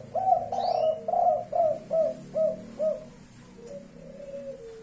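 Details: Spotted dove, blorok leopart variety, delivering a kuk 5 call: a rhythmic string of mellow low coos roughly every third of a second, tapering off, with a quieter drawn coo trailing afterwards.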